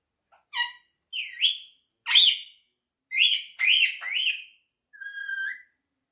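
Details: Quaker parrot kept as a pet, talking in a small room: clipped, harmonic word-like syllables with slides and a final flat whistled tone, separated by short pauses.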